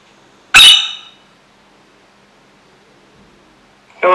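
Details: A pet blue (cobalt) Princess parrot, apparently angry or jealous while watching videos of other princess parrots, gives one harsh, grating screech lasting about half a second. A person's voice starts near the end.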